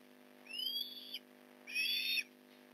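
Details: Osprey at a nest in Port Lincoln during a fish delivery, morning of 15 November 2019: two high, whistled calls, the first a rising slurred whistle, the second a harsher, buzzier note, over a steady low hum.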